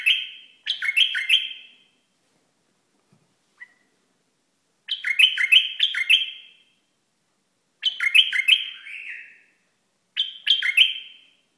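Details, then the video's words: Iraqi bulbul giving repeated loud chirpy phrases of three or four quick rising whistled notes, about one phrase every three seconds, with silent gaps between and a faint tick. "بلبل عراقي"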